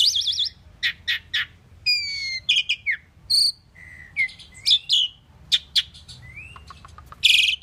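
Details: Pied myna song as a varied medley of warbled trills, sharp clicks, falling whistles and squeaky notes in irregular bursts, finishing with a harsh rasping phrase.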